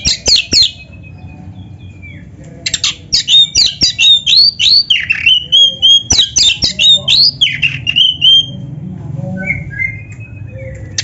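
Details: Oriental magpie-robin in full song, used as a master recording for training young or reluctant birds: loud whistled phrases mixing sweet rising and falling notes with harsh, scratchy bursts, delivered in rapid runs with brief pauses; low hum beneath.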